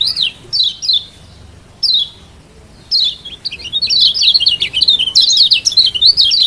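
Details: Lombok mountain white-eye (kecial kuning) lure song: spaced high slurred chirps, then a long run of quick zigzagging twittered notes. Used to stimulate a quiet bird into singing.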